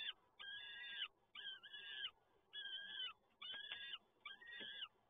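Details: Peregrine falcon chicks beg during a feeding at PGE Toruń, Poland, on 30 April 2022, giving five evenly spaced rasping wails about a second apart. Soft clicks are heard near the end.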